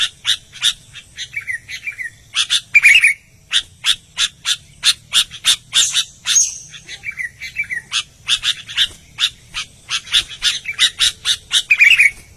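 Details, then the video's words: Lively song of an albino sooty-headed bulbul, a dense run of sharp chirps repeated several times per second with a few warbled trilling phrases mixed in, faint low hum beneath. "BURUNG KUTILANG ALBINO GACOR"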